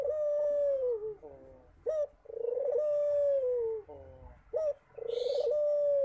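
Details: Frequently calling Barbary dove: sustained steady coos that droop at the end, each led by a short rising note, repeated roughly every two and a half seconds, with brief rustling.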